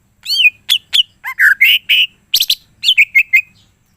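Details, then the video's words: Varied song from a caged greater green leafbird: sweeping whistles, a low slurred note, harsh buzzy bursts, and a closing run of short repeated whistled notes. "cucak ijo mana saja akan ikutan bunyi dan gacor dengar c ijo ini bongkar full isian"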